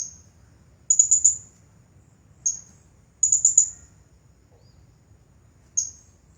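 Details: Champion Blue-crowned hanging parrot singing in the 'nagih hutang' style: very high, thin chirps in short bursts of three or four rapid notes, separated by single sharp notes, with pauses of one to two seconds.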